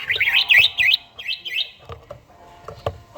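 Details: Red-whiskered bulbul, an old bird with a forest voice, singing in the morning in daily training: quick zigzag whistled notes in a rapid burst, then two separate twisting whistles and faint background knocks.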